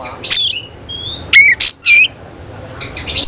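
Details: Tail-spreading oriental magpie-robin of the semi-cililin style. Sparse, loud phrases: a harsh burst, a pure high whistle, then strong downslurred whistles separated by quiet gaps.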